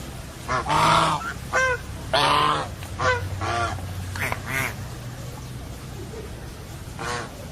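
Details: Geese honking loudly in irregular bursts, each honk a harsh, nasal, strongly harmonic blare, some paired in quick succession, with quieter honks between and a faint low hum underneath.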